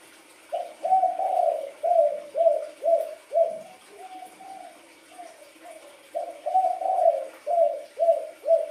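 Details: Wild-coloured spotted dove cooing in a stimulating training session, giving a steady run of low, soft hooting notes about half a second apart in two bursts with a quieter stretch between them, faint hum behind.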